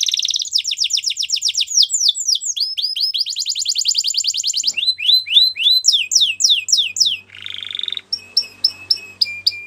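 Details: Belgian canary singing as a tutor for young canaries, delivering quick trills of repeated high notes, then steeply descending swept syllables and a buzzy rattle, closing with sharp, evenly spaced piping notes.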